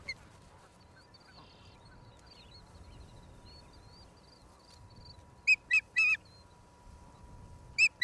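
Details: Osprey calling at its nest in Charlo, Montana, USA, April 26, 2022, picked up by a streaming nest cam: quiet at first, then a few loud, sharp whistled chirps in quick succession near the end.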